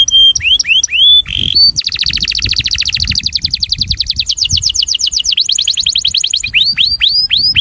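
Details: Breeding male canary song meant to attract: rising whistled slurs, then a long rapid trill of repeated notes that speeds and slows, ending in clear upswept whistles.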